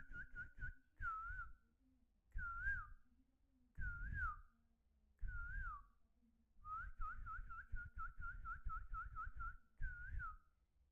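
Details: A pet talking hill myna, which is fed rice and beef, gives clear, mid-pitched whistles that bend up and down in bursts every second or two, then a quick run of repeated whistles, over low thumps and rustling.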